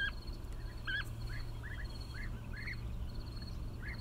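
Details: Bee-eaters give clear, short, trilled calls that arch up then down, often doubled or tripled, spaced under a second apart, with a rhythmic insect ticking and a low hum beneath.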